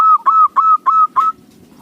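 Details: Local zebra dove with a lure-worthy voice: five strong, drawn-out cooing notes, each starting with a sharp onset, spaced roughly a third of a second apart, then quiet.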